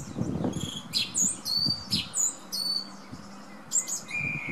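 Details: Male thrush in full morning song outside a bedroom window, delivering quick, varied high phrases of whistles and sharp notes one after another while wind gusts rumble beneath.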